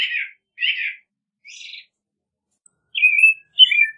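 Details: Song of an American robin, with rich warbled phrases and a few squeakier, buzzier notes, separated by short pauses, followed by two clear whistled slurs with no other sounds.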